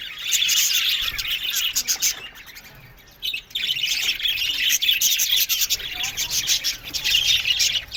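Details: Many aviary budgerigars chirping and warbling at once: rapid, high, overlapping twitters that dip into a short lull midway, then resume just as busily.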